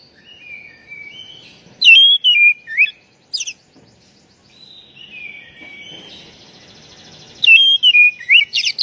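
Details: White-rumped shama used as a lure for silent birds; soft sliding whistles broken by loud short phrases of sweeping notes, with a faint trilling background.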